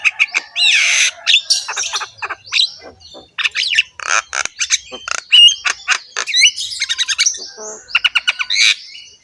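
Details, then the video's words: Harsh-voiced, head-bobbing Javan myna pouring out a long, richly varied song of rasping squawks, clicks, short whistles and chattering bursts, nearly continuous with a brief pause midway. "BURUNG JALAK KEBO GACOR SUARA KASAR, MANGGUT-MANGGUT FULL ISIAN MEWAH"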